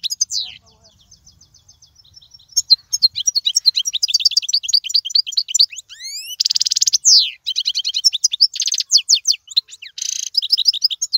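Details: European goldfinch singing, a recording meant for teaching fledglings: a soft, sparse start builds into dense, high twittering with upward-sliding whistles and two loud buzzy trill bursts, the varied phrases running almost without pause.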